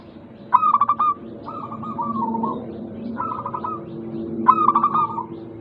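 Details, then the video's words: Zebra dove, local type, singing as a lure for lazy doves. Stuttered bursts of clipped notes alternate with a rolling descending trill over a steady low background hum. "Pancingan Burung Perkutut Lokal ampuh untuk mengatasi malas bunyi"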